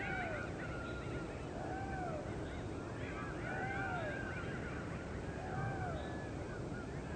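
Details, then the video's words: Two hungry Great Blue Heron chicks at their nest give arched, nasal squawks, several overlapping, about every two seconds, over a steady rushing background noise; their begging calls mean they want breakfast. "Great Blue Heron Chicks - anxious for breakfast."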